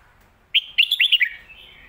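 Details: Song phrase from a Red-whiskered bulbul, lak wai or mae bot style: after a short silence, a fast string of about six sweet, warbled whistles, the final note dropping in pitch, then a faint trailing tone.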